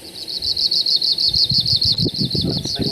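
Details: Arctic Warbler, an Asian-wintering migrant breeding in willow areas of Denali National Park, Alaska, sings a fast, dry, high, unbroken buzzy trill of about ten notes a second; white-crowned sparrow and Wilson's warbler behind; a man talks low underneath.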